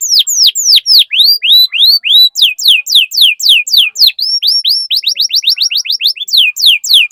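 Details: Canary singing to get other canaries singing: continuous loud whistled sweeps, first slow rising slurs, then faster falling strokes, speeding into rapid repeated descending notes.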